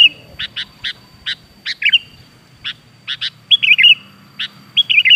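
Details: Caged sooty-headed bulbul lure song, played to train young kutilang to sing readily: separate sharp chip notes about once every half second, then warbled whistled phrases that dip and rise, over a faint low background hum.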